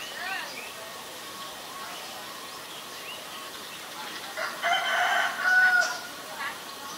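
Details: Asian barred owlet giving a harsh, harmonic chattering burst of about a second and a half in the latter half, after faint scattered notes, with a soft background hiss.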